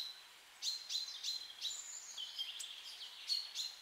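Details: Wild bird singing in a beech forest with blooming rhododendron bushes; high sharp whistled notes repeated in quick bursts with a sliding buzzy phrase, against quiet background.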